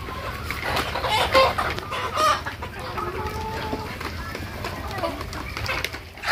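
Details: Local desi chickens on a farm, raised to reach one kilogram in 85 days: several short tonal clucks and a brief crow-like note stand out over a busy background of flock chatter and faint human voices.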